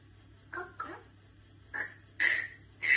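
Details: Pet grey parrot sneezing indoors; five short, noisy, explosive bursts within three seconds, growing louder toward the end, over a low steady hum.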